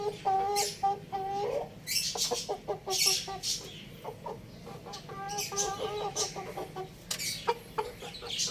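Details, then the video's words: Young rooster kept at home clucking steadily in two long runs of rapid, low, nasal notes, separated by a pause of scratchy high-pitched chatter, with a constant faint hiss. "Cute Little Rooster Chirping Sounds"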